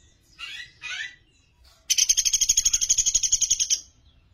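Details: Sunda pygmy woodpecker recorded as master song for training songbirds: two short buzzy notes, then a rapid, evenly paced trill of about sixteen high sharp notes lasting nearly two seconds.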